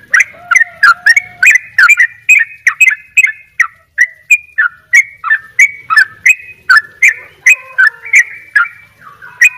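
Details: Bali sooty-headed bulbul in energetic double ropel song: almost ten seconds of rapid, repeated short whistled notes, bubbly and slurred, with brief faint lower whistles at the start and near the end.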